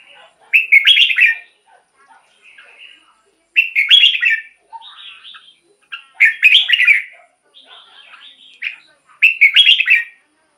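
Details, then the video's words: Red-whiskered bulbul singing from a cage, meant to get caged birds excited: four bright warbled phrases about three seconds apart, with quieter buzzy and whistled notes in between. "เสียงนกกรงหัวจุก สำหรับต่อ หรือ เปิดให้นกคึก เสียงเพราะๆ"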